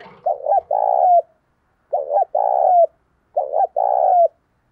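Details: Decoy spotted dove giving the urging 'gáy thúc sung' coo meant to excite wild doves. A low hooting phrase repeats three times, about every one and a half seconds: a quick double coo, then a long drawn-out note that falls at the end.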